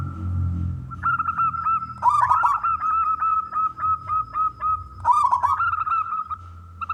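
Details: Loud local zebra dove song meant to draw other doves into singing. Continuous chain of short hooked cooing notes with two stronger rolling bursts around two and five seconds; faint low hum underneath.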